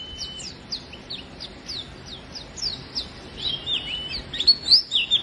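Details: Oriental white-eye song for stirring silent white-eyes to sing: a brief thin whistle, evenly spaced high downslurred notes, then a louder tangle of quick twittering.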